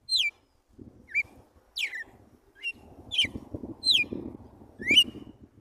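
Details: Red-cowled cardinal giving 'tiro de guerra' song in the morning, pure wild style: clear whistled down-slurred notes about once a second, with a steady low rumble and muffled noise underneath.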